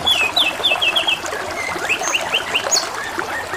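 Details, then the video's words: Canary singing over trickling water: a run of quick descending whistled notes repeated about every 0.15 seconds, then rising chirps and a high trill, with a steady gurgling water background throughout. "TERAPI SUARA KENARI DAN SUARA GEMERICIK AIR | CANARY SINGING"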